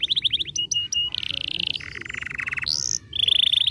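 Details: Canary song for stimulating a lazy canary: quick chains of high notes shift through trills at different pitches, a lower rattling roll, a rising whistle, then a bright high trill.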